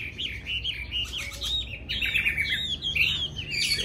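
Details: Chinese hwamei singing a run of quick warbled, whistled phrases that rise and fall steadily, with a faint low hum underneath.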